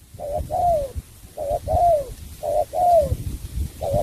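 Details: Spotted dove from Cà Mau, Vietnam, in sắm bầu bạch đề song: a crisp short coo followed by a drawn-out, downward-gliding coo, the pair repeated three times about once a second.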